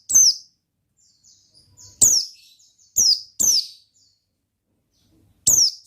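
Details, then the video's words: Oriental white-eye singing gacor ngalas style: widely spaced single and paired shrill chirps that drop sharply in pitch, with faint soft twitters filling the gaps. "Suara Bikin Pleci Gacor Ngalas Dengan Burung Pleci Gacor NGALAS INI"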